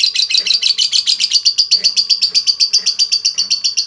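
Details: Lovebird performing a long 'ngekek' trill, used as a lure to get other lovebirds singing: a bright, high chattering series of rapid pulses, about four per second, steady throughout.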